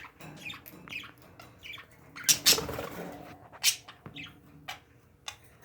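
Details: Pet parakeets kept at home give short scattered chirps and a few harsh squawk bursts, with quiet gaps between the calls.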